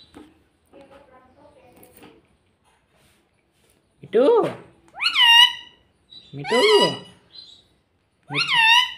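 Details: Talking green ring-necked parrot at home saying "mummy" and "mitthu": after quiet murmuring, four loud harmonic arched syllables, each rising then falling, spaced about a second or two apart.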